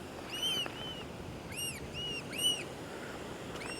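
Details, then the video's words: Black oystercatchers with bright orange bills fly in along a beach at Mission Point, British Columbia, on April 29: loud, ringing whistled wheep notes, about six in under four seconds, several birds overlapping, over a steady hiss of surf. "You can hear what I think is Oyster-catcher. Oh yeah, here they come."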